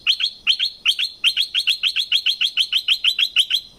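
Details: Sustained southern-Thai streak-eared bulbul singing: rapid, evenly paced pairs of sharp chirps repeated over and over, about three per second, forming a steady bubbling chatter throughout.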